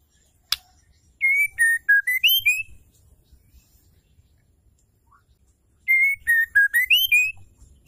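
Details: Calling female white-rumped shama, used to make males sing: two bursts of clear whistles, each sliding down then rising step by step, separated by a pause with a click and faint rustling.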